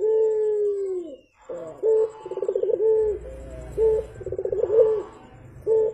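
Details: Javan turtle dove in full, vigorous voice: a long, low drawn-out coo, a pause, then short clipped coos alternating with rapid rolling trilled phrases that end in steady mellow notes.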